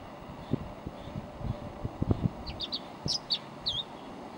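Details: One of a pair of tree swallows nesting in a yard, sitting close by on a feeder hanger; a run of sharp high chirps and short downslurred notes in the second half, after soft low thumps and knocks.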